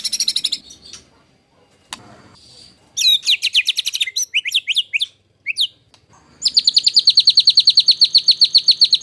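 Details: Competition-training master song of a white-rumped shama in the rough 'tembakan kasar' style: a high buzzy opening, a rapid run of sweeping notes, then a long fast rattle of high repeated notes at about two and a half per second.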